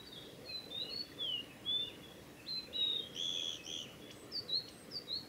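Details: Male Blue-and-white flycatcher singing along the Mizusawa forest road, Tanzawa, Japan, recorded 8 June 2020; a quieter run of slurred whistles and buzzy notes, with faint overlapping high chirps from other birds.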